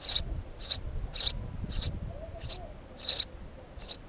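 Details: House sparrow giving seven quick, high-pitched chirps in about four seconds, fairly evenly spaced, over a low rumbling background.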